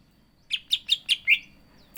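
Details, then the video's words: Five quick, bright chirps from a greater green leafbird (cucak ijo) in energetic song, evenly spaced, the last one lower and longer. "CUCAK IJO GACOR ISIAN"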